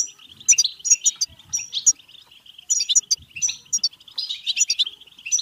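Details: European goldfinch bebteh singing meant to trigger singing and mating: rapid tinkling chirps and nasal trills in bursts, with short near-silent pauses.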